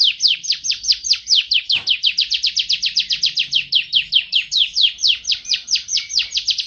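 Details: Canary training song: steady run of bright, sharply downslurred high notes, about two or three per second, loud and clean throughout.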